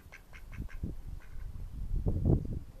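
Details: Mallard ducks recorded in May 2014, giving a series of short, low, nasal quacks in quick succession, a louder cluster near the end, with a low rumbling background.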